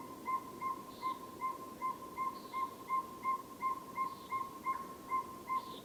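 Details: Northern saw-whet owl giving a steady, even series of mellow whistled toots, nearly three per second, with common nighthawk peents and wing booms above and many frogs calling behind.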